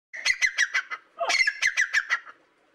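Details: A tame grey francolin (teetar), trained to call to its owner's voice, in Dadyal, Kashmir, Pakistan, gives two quick bursts of five or six harsh, squawky notes, evenly spaced and loud, with a brief pause between bursts.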